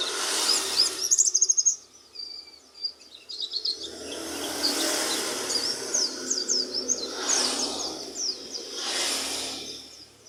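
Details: Oriental white-eye in energetic song: bright, high chirping twitters delivered in quick bursts, partly masked by repeated loud surges of broadband rustling noise.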